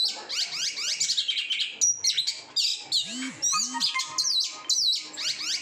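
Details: Caged oriental magpie-robin kept without bathing, singing non-stop: dense, rich medley of rising and falling whistles, buzzy slurs and crisp high notes, with two low, arched sounds in the middle.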